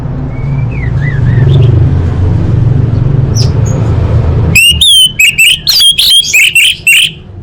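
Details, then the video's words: Orange-headed thrush, full-fill song for training contest birds: soft distant whistles at first under heavy low rumble, then from the midpoint a loud, quick series of clipped, bouncing whistled notes repeated several times a second. "Masteran Anis Merah Full Isian untuk Lomba Besar & Latber Elite"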